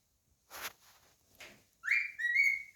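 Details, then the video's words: Cockatiel kept as a pet, whistling indoors: after some rustling, one rising whistled note leads into a long steady tone with rich harmonics. "Cockatiel singing, whistling and saying his name."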